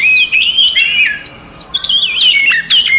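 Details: Oriental magpie-robin fighting song, meant to provoke other magpie-robins into anger: loud, varied whistled phrases with rising and falling sweeps and sharp chirps, brief pauses between bursts.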